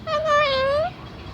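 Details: Parrot that talks, kept at Manila Zoo in the Philippines, recorded on March 2, 2017, giving a single sustained, harmonic, meow-like note of almost a second that wavers gently and then rises at the end.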